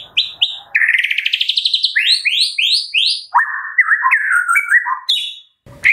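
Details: Energetic White-rumped shama song in the kretekan style, used as a lure: two clipped notes, an accelerating rising trill, four falling slurred notes in series, then lower warbling.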